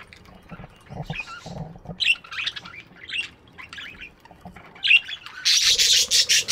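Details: Budgies chirping in an aviary in the morning, a run of short scratchy chirps at an uneven pace, ending in a loud broadband rushing burst like wing flutter, with low rustling earlier.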